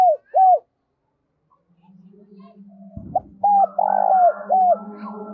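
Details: Spotted dove song used as a trapping lure. Two arched hoots, then a steady low hum and a brief clatter before a full phrase of hoots around a long rolling coo.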